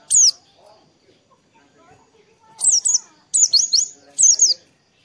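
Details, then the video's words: Oriental white-eye sound played in the morning to stimulate other white-eyes to sing: short, very high, thin chirping bursts, one brief note then three quick clusters of sharp twittering notes, with quiet gaps between them. "PANCINGAN PLECI DI PAGI HARI || TERAPI PLECI AGAR CEPAT BUKA PARUH"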